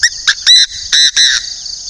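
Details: Chinese francolin decoy bird from northern Vietnam giving a loud, harsh burst of about five rasping syllables in under two seconds. A steady high insect drone runs underneath.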